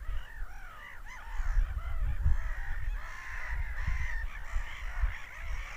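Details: A flock of seagulls screams in a running, overlapping chorus of ringing, slurred cries that grows denser toward the end, over a rumbling low backdrop.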